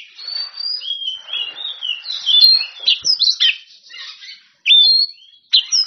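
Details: Oriental magpie-robin in rival-calling song, loud whistled slurs sliding up and down, then brief gaps broken by sharp high bursts near the end.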